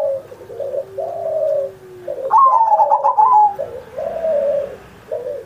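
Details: Zebra dove song used to prompt other pet doves on Indonesia's 79th Independence Day: a loud rapid trilled coo in the middle, framed by quieter, lower repeated coos from before and after.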